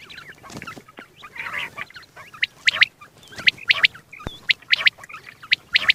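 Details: Single male quail calling, recorded for morning and night hunting; sharp, bright clipped notes repeated about once a second, often in quick pairs or triplets, with softer chirps and a brief rough burst between them.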